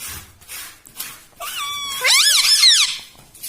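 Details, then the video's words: Pet parrot talking, said to say "mitthu mitthu" and "mummy": a level whistled tone followed by a loud, rising-and-falling harmonic phrase. "TALKING PARROT - MITTHU MITTHU - MUMMY BOLNE WALA TOTA"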